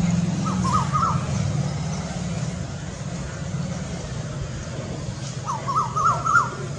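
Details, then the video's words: Cuckoo's second type of call: two quick bursts of three or four rising, whistled notes, several seconds apart, over a steady low engine-like rumble. "Second type sound of cuckoo"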